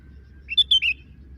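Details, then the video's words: Sooty-headed bulbul calling as it drinks, giving three rapid, clear, chirpy notes in close succession, with a faint low hum and otherwise little other sound. "burung kutilang lagi minum sambil bunyi"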